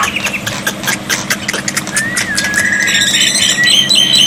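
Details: Black-winged myna tutor song used with water therapy to make silent birds sing back: rhythmic ticking chatter, then a rising whistle that leads into a level held note and higher bright whistles.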